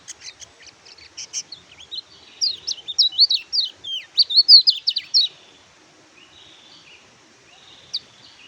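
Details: Oriental white-eye song used as a training recording to prompt silent birds: a quick jumble of high, thin, twisting whistled notes that speeds into a dense warbling burst, then trails off into a few scattered chirps.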